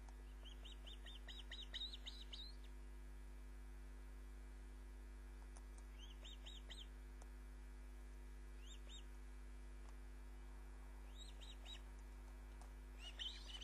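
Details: Female osprey returning with a fish at Loch of the Lowes, 29 June 2010, 20:34, on a live nest camera. Bursts of rapid high chirping come in four separate spells over the recording, with a low electrical hum throughout.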